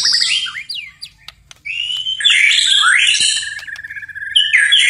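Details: White-rumped shama singing at night, actively in full voice: rapid varied whistled phrases that sweep up and down, then a long buzzy, rattling passage with a trilled lower line, and a brief pause partway through.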